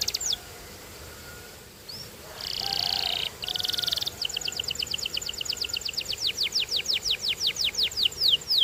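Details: Canary song beginning with scattered short whistles and a brief dense burst, then a long rolling trill of quick repeated notes growing louder and slower toward the end.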